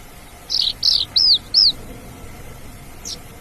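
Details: Javan bush lark in the wild: four loud, high arched whistles in quick even succession, then silence and one faint thin note.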